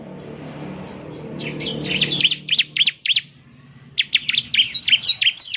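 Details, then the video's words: Lure recording of a bar-winged prinia singing hard, meant to set off caged birds: two bursts of fast, high, sharp chirps after a low background hum, with a brief quiet gap between them. "Pancingan Ciblek Semi Gacor Agar Bunyi..!"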